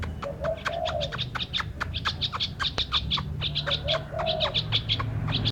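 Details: Bird song with rapid high, bright chirps repeated several times a second throughout, mixed with two low, soft cooing phrases and a low background hum.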